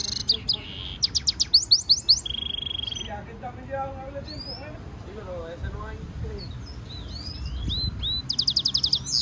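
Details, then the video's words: Goldfinch mule song for training: bursts of high buzzy trills and a steady rattle at the start and end, with a quieter middle of lower warbled chirps and soft twitters. "European goldfinch Singing Mule -Training - Jilguero Mulo - Carduelis carduelis - Stimulation song"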